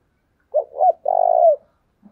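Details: Decoy spotted dove coos to attract wild birds: a quick double coo and one long rough note that dips at the end, then silence.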